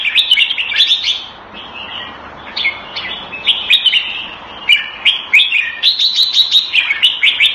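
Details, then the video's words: Caged red-whiskered bulbul kept Thai style in Singapore delivers a lively run of bubbling, whistled song phrases, loud and almost continuous, with sharp clicks scattered through and a brief pause near two seconds. "สิงคโปร์เลี้ยง นกหัวจุก - Singapore play Jambuls Thai style"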